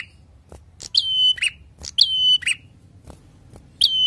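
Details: Vigorous prinia song in 'ngalun' style, a repeated phrase of a crisp high onset leading into a sustained level whistle and ending in a brief lower note, given three times against a quiet background.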